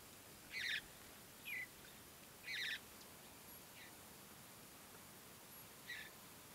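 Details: Mountain Bluebird juveniles being fed by a parent and starting to forage, early morning at Great Sand Dunes National Park, Colorado; short, buzzy chattering calls in brief bursts roughly every second, with quieter notes between, over a faint steady background.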